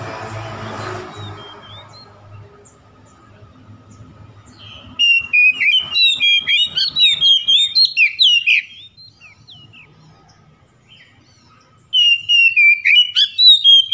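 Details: Oriental magpie-robin song used to provoke a rival: after a few seconds of low background rumble, loud bursts of clear, varied whistled phrases with sharp up-and-down slurs, a pause, then a further bright whistled run.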